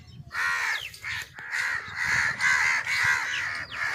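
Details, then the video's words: Crow sounds meant to attract crows: harsh, raspy caws run together in a rapid, uneven series of about eight calls over four seconds, with no other clear sounds. "Crow sounds to attract crows"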